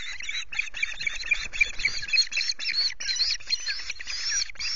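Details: Osprey calling at a Loch Garten nest in Scotland with chicks, 5 July, around a delivery of two fish; a dense, continuous run of shrill chirps and squeals, one note overlapping the next, with no pauses.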